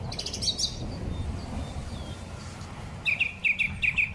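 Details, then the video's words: Song thrush singing in spring, recorded on a smartphone: faint high twittering at first, then a clear burst of short, sharp, whistled notes repeated rapidly about six times near the end, with a low background rumble. "Drozd Śpiewak. Wiosenny koncert ptaków."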